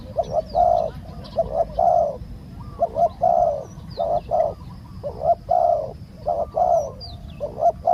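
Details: Decoy spotted dove cooing to entice a wild dove, which was slow to come down. Dense, overlapping mellow coo phrases follow each other closely, while thin high whistles of other birds drift in faintly.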